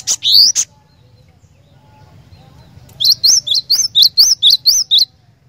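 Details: Cinereous tit in full song: after two brief high chirps and a pause, a run of about eight quick, high, sharply rising whistled notes in a steady series over two seconds. No other sounds.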